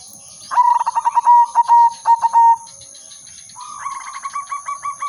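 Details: Melodiously singing zebra dove of the silver udanmas type, kept as a decoy: a stammering phrase of quick coos broken into short bursts, then a quieter, higher pulsed reply from another dove, with a steady high whine behind.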